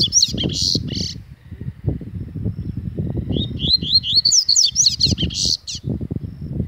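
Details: Angry Double-collared Seedeater giving a quick series of high, upward-sweeping whistled notes mid-clip, with a few scattered high notes at the start, against steady low knocking and rumbling background noise.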